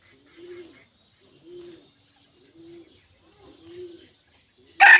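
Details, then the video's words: Wild red junglefowl hen calling: four low, soft, slightly hoarse notes spaced about a second apart in near silence, ending with a sharp, loud broadband burst. "suab qaib qus dib tuaj zoo 100% poj dhia ceev"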